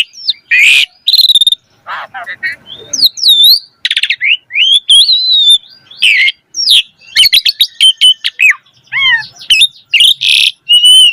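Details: A Javan pied starling pours out a long, varied song for tutoring young birds: harsh wheezy bursts, rapid ticking rattles, looping whistles and quick downslurred notes mixed in a dense, irregular stream.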